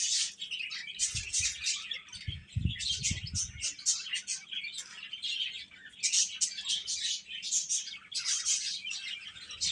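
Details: Chicken chicks chirping continuously in shrill overlapping peeps, accompanied early on by a few soft low thumps, perhaps from movement or handling.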